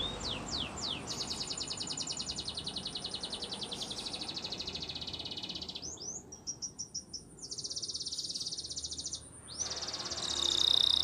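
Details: Spanish Timbrado canary song used for training: continuous high metallic rolling trills at a fast steady pulse, with brief rising upslurred notes at the start and a switch in trill tone midway.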